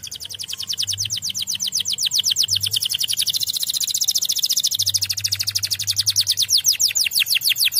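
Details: Canary answering another canary's song with a long, unbroken high trill, dense rapid notes rolling on steadily and loudly for several seconds.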